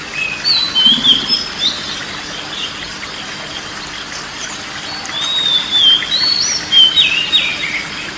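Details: Oriental magpie-robin (kacer) song used as relaxation therapy for a stressed or quiet bird: short bursts of clear, varied high whistles near the start and again near the end, separated by a quieter stretch over a steady background hiss.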